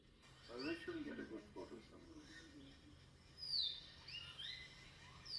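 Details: Common hill myna (Gracula religiosa) calling in Nagarhole gives loud, clear whistles that sweep sharply downward, with rougher, lower harmonic notes early on; faint background noise and possibly a voice.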